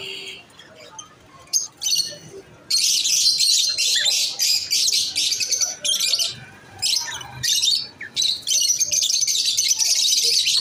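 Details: Masked lovebirds giving rapid, continuous high chirping, harsh and twittering, in loud bursts that start after a quieter opening and continue with short breaks throughout.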